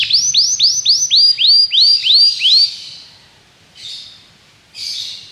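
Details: Belgian canary singing in a training setting meant to prompt other canaries to sing: a rapid trill of repeated high arched notes, then fainter brief bursts after a pause.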